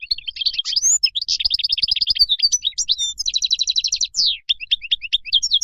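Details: European goldfinch singing in the wild style used to teach young birds: continuous, fast, high twittering with liquid trills, buzzy rattles and downslurred notes, almost without a break.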